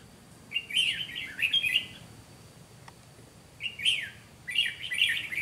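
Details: Red-whiskered bulbul used as a decoy in trapping, giving fighting song: two bright, warbled phrases of quick rising and falling notes, each lasting about a second, separated by a pause of roughly two seconds.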